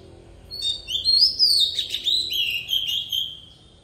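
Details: Decoy Oriental magpie-robin singing wild-style song (giọng rừng): one continuous warbled phrase of rapid slurred whistles, rising then trailing into a steady sweet whistle that fades, with faint low background hum.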